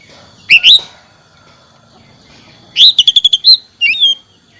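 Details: Oriental magpie-robin song played to get a silent caged bird singing again: bright whistled notes, a rapid run of sharp repeated chips, then a falling whistle.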